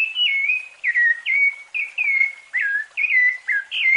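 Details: Rufous-bellied thrush (Turdus rufiventris) gives a fluted song used for tutoring young birds: clear, mellow whistled phrases, mostly level or gently falling, about eight short phrases in four seconds with small pitch shifts.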